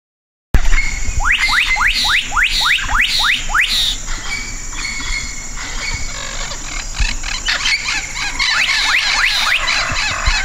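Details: Black-capped donacobius song: a run of loud rising whistled sweeps repeated several times a second, then a second burst later. A busy natural background carries other chirping and a steady high hiss.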